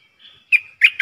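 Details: Streak-eared bulbul kept as a decoy for luring wild birds and teaching young birds: a thin soft whistle, then two short bursts of bright, gurgling chirps.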